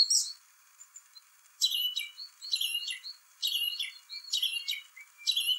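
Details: A song thrush (Turdus philomelos) sings its spring song: loud, bright phrases of whistles and chirps, each burst about half a second long with brief pauses, some repeated.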